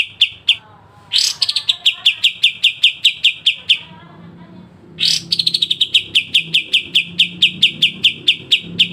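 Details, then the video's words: Pied triller, kapas tembak, singing sharp besetan trills in a clear recording made for songbird training: a harsh burst opens each of two phrases, followed by long runs of rapid, evenly pitched, clicky whistled notes. "kapas tembak dengan besetan tajam"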